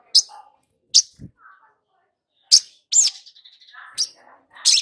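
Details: Long-billed spiderhunter sound used to coax a newly caught bird into singing: sharp, high, clipped notes spaced irregularly, with a low thud and brief softer warbles between them.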